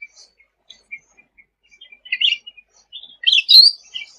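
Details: Sooty-headed bulbul singing energetically as tutor audio for songbirds: faint scattered chirps that build into louder, jumbled chattering phrases toward the end.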